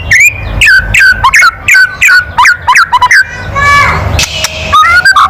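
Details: White-rumped shama giving a loud kretekan call meant to provoke other birds: sharp whistled notes dropping from high to mid pitch, repeated about twice a second, then a buzzy rising sweep, over steady low rumbling background noise.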